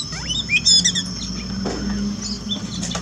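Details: Pet Oriental magpie-robin song played as therapy for a bird singing little after moulting: quick high whistled and trilled phrases, some rising and falling, over a steady low hum.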